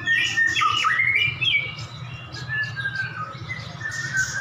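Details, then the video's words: Two captive white-rumped shamas, prize-winning birds, set against each other in a duel, singing back and forth: loud whistled and rising-falling phrases, varied and slurred, with a steady low hum beneath. "Duel Murai Batu Jawara"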